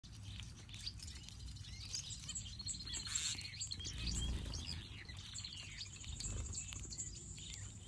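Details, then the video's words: Several finches chirp in quick, irregular bursts of high, thin notes, overlapping one another, over a steady low rumble of background noise. "Finches Sound | Birds Chirping"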